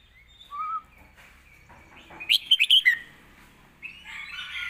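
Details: Red-whiskered bulbul in the southern master-song style, sung as a training model for young birds: a few thin whistles, then a loud rapid flourish of bright warbled notes, followed by a hoarse buzzy phrase over faint low background hum.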